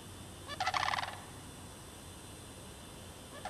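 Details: Mating sandhill cranes in the Derby Reach Park bog, March 2009. One strong, vibrating, rolling rattle lasts about half a second, and a second call just begins at the very end; steady low background noise throughout.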